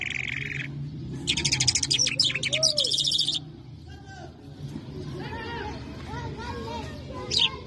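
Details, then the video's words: Mashadi jal lark, an Irani or Afghani jal, gives a short whistle, then a fast rattling buzzy trill lasting about two seconds. Softer chirps from other birds and a low background hum follow. "Mashllah Mashadi Jal Singing( Irani jal ) [Afghani jal Full Sining] Larks lunda jal مشهدي جل"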